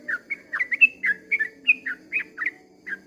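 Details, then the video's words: Dawn song of a sooty-headed bulbul in 'ropel panjang' style: brisk, separate whistled notes, alternately upslurred and downslurred, about four per second, over a soft low hum. "kicau suara trucukan ropel panjang di waktu fajar"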